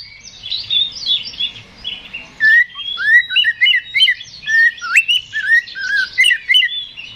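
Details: Song of an Oriental magpie-robin in fighting mood, meant to stir a rival: a dense burst of scratchy chatter leads into loud, rapid, rising whistles repeated irregularly with mimic-like variety.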